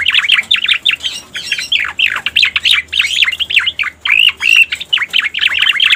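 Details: Lure recording of a striated grassbird for attracting wild birds: loud, continuous chattering song of rapid twisting whistles and slurred notes, with short pauses between bursts.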